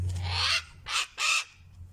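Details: Displaying male pet cockatoo outside on a warm day after Thanksgiving, screaming loudly: three harsh, broadband squawks, the first longest and the next two short and spaced, with a low hum in the background.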